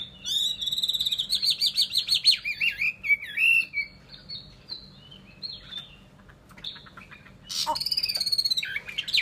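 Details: Loud, ringing song of a Chinese hwamei, with rich wavering whistles trilled rapidly for several seconds, a pause with soft notes, then another powerful vibrating phrase.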